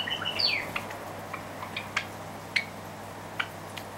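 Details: A pair of white Java sparrows squabbling over hand-feeding food meant for chicks, one pecking the other away: a quick burst of high, squeaky chirps, then single sharp metallic chips about every half second, over a faint steady hum.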